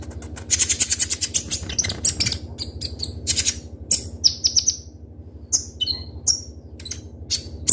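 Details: Van Hasselt's sunbird (konin) singing in captivity with sharp, speedy delivery: a dense rattling burst of high notes, then separate bright downward chirps spaced about half a second apart, all over a steady low hum.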